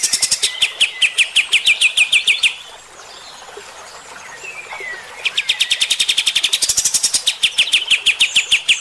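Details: Kapas tembak bulbul with coarse 'tembakan kasar' song for riling fighter birds: a fast run of sharp repeated chips, several quiet seconds with a soft slurred whistle, then a longer, louder rattling volley.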